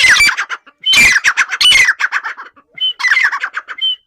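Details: Loud, harsh grey francolin calling in rapid rhythmic bursts of grating notes, three strong phrases separated by short pauses.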